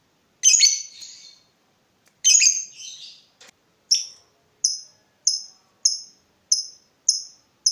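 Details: Lovebird as master-song bird for other lovebirds: two harsh rasping screeches, then a steady series of short, sharp high chirps, about one every seven-tenths of a second.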